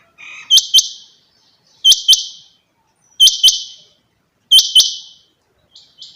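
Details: A female rain quail gives a steady series of four bright, high double notes, one pair roughly every 1.3 seconds. A faint softer note trails at the end, and there is little other sound.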